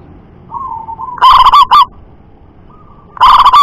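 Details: Local zebra dove, perkutut lokal, from the wild, in a loud shrieking style with a strong double "kuk": soft, level cooing notes followed by two bursts of very loud, rapid, distorted coos.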